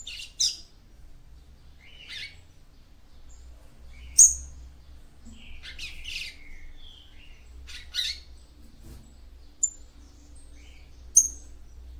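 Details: Female capped seedeater (papa-capim) singing to stimulate the male: scattered short high chirps and buzzy notes, several seconds apart, with a faint low hum beneath.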